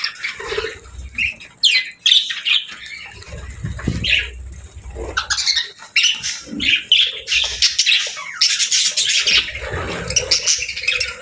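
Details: Happy budgerigars chattering: scattered high chirps, squeaks and rising whistles across the recording, with denser chatter toward the end and soft low thumps underneath.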